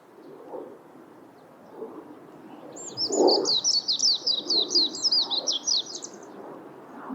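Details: Warbling white-eye giving a rapid, high, twittering warble of quick up-and-down notes lasting about three and a half seconds, with soft low background rumble and faint murmurs before it.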